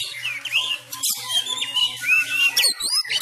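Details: Sumatran Oriental magpie-robin in fighting style, practising at home during the COVID-19 lockdown; fast stream of slurred whistles and twittering notes over a steady low electrical hum.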